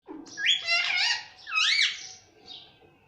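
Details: Indian ringneck parrot, a talking pet bird taught to say mummy and papa in Hindi, giving three loud harmonic, speech-like syllables with rising and falling tones, the last one softer.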